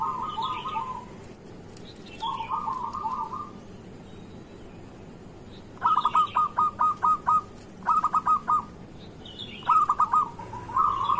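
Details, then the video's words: Morning lure song of a lively local zebra dove for getting quiet birds to sing: soft rolling trills, then loud staccato series of clipped cooing notes, while another bird adds high twittering chirps. "Perkutut lokal gacor pancingan untuk pagi hari"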